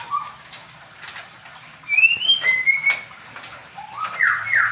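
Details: White-rumped shama of the Medan type in a small aviary during pairing gives sparse, high, drawn-out whistles, then closes with loud, lower, rising whistled notes over faint clicks and background hiss.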